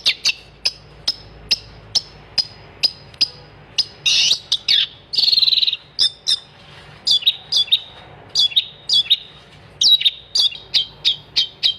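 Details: Long-tailed shrike singing energetically, a steady series of sharp, high clicking chirps about twice a second, broken by harsher buzzy scratchy bursts, then the chirp series resumes.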